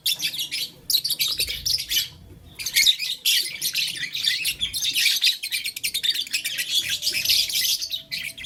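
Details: Blue, lutino and green lovebirds playing with a flower give dense bursts of harsh, high, buzzy chirps in rapid runs, broken by a short pause near the middle.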